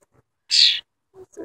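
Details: Tame wild cowbird uttering one loud, brief, harsh high-pitched note, followed by faint human voice.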